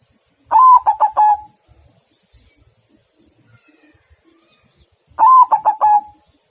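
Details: Zebra dove, white form, singing two cooing phrases about four and a half seconds apart, each a long note followed by three rolling short coos.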